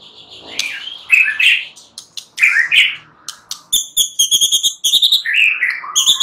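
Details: Night-time white-rumped shama song of harsh, buzzy, upward-sweeping notes followed by a fast series of sharp, high, metallic chips repeated several times a second.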